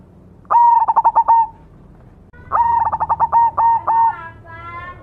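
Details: Zebra dove of the cemani variety singing persistently: two cooing phrases, each a sharp opening note followed by a rapid run of pulsed, rolling coos, with a pause of about a second between them.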